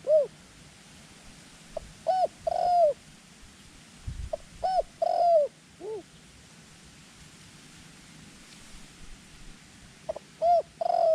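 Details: Decoy dove luring wild doves to a ground trap: phrases of a quick stutter followed by clear, falling, arched coos, repeated three times with long silent gaps between them.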